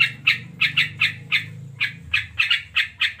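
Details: Continuous chattering from a sooty-headed bulbul (local name krucuk): a string of harsh, squawky chip notes, some paired, roughly three per second, against a soft low rumble.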